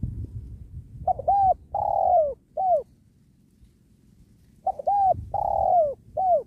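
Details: Spotted dove cooing as wild doves are lured and trapped near a sacred tree; after a low rumble, two phrases follow, each with quick notched notes, a long downward coo and a short closing note.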